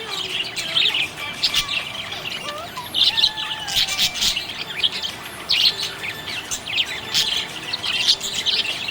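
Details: Happy budgerigars give a lively, high twittering of crisp chirps and little gliding whistles in repeated clusters, with no other sounds standing out.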